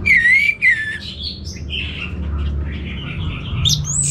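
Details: Orange-headed thrush kept by a bird keeper in Singaraja, North Bali, singing in full 'gacor' form: clear whistled phrases, a sharp wavering whistle first, then varied rising and falling notes over low room rumble.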